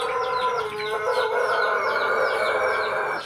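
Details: Pelung chicken crowing in a house yard in Jogja: a long, loud, sustained harmonic crow held steadily for over three seconds, with many small chirping birds calling repeatedly in the background.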